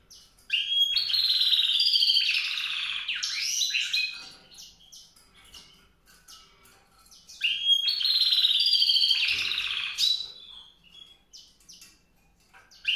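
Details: Grey singing finch (White-rumped seedeater, Crithagra leucopygia) song: two long, rich phrases of sweet warbling and trills, each about three seconds, with a quiet pause between them.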